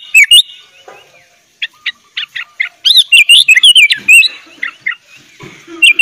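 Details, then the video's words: Sooty-headed bulbul filler song used as a tutor for young birds: a few scattered chirps, then a quick tumbling run of looping whistles and short twittered notes, followed by softer scattered calls. "kutilang gacor full isian - cocok buat masteran kutilang bahan"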